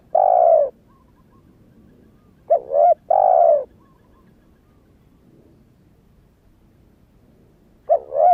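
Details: Spotted dove calling to lure wild doves. The bird is young, just starting to call, and has not changed its wild feathers. A long coo is followed by a pause, then a clipped double coo, a long coo, a gap and another double coo.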